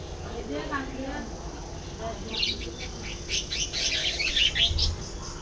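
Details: Budgerigars start with soft, lower warbling notes, then break into a dense flurry of sharp, high chirps and squeaky twitters, getting louder toward the end, with a low background hum.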